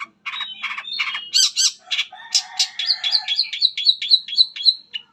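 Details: Long-tailed shrike with a mimicking song meant to set other shrikes singing: mixed chattering notes, then a fast series of short rising high whistles repeated several times a second.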